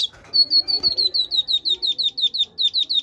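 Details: Great tit kept in a cage and bred by its keeper, delivering a steady run of about fifteen identical sharp, high, slightly descending whistled notes at an even, rapid pace.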